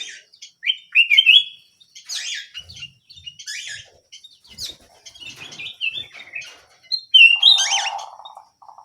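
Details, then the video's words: Tiny canary in lively song: short warbling phrases and sharp chirps broken by brief pauses, ending in a burst of high notes over a low buzzy rattle. "BURUNG KENARI MUNGIL GACOR"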